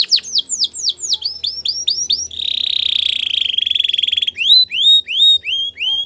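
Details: Belgian canary singing during training: a run of rising whistled notes, then a fast buzzy trill held for about two seconds, followed by more rising whistled slurs repeated roughly three per second.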